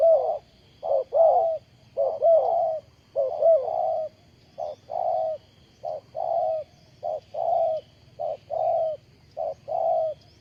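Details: Decoy spotted dove kept for bird trapping, calling with steady low coos: a string of around thirteen short, husky phrases over ten seconds, some doubled or slightly longer, evenly spaced, with faint background hiss and no other birds.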